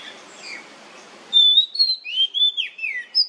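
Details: Nyemplong song of the kacer, or oriental magpie-robin, used to prompt other birds to sing back. Background hiss gives way to drawn-out, smooth whistled notes that rise, dip and slide, ending in a brief high whistle.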